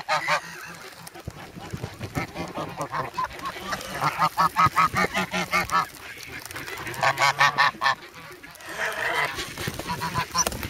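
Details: Hungry young adult geese raised from goslings call in snowy Sloterpark, Amsterdam, 3 February, pecking eagerly for bread; loud nasal honks come in rapid bursts of about two or three per second, with pauses between runs.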